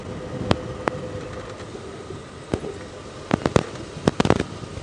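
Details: Morning safari drive, steady vehicle rumble and hiss broken by scattered sharp clicks and knocks, clustering near the end, with no animal voice.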